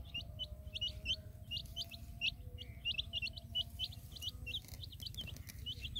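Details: Hen with colored chicks in a field: a busy chorus of sharp, high, falling peeps, about one and a half per second and irregular, above a low steady rumble and a faint tone.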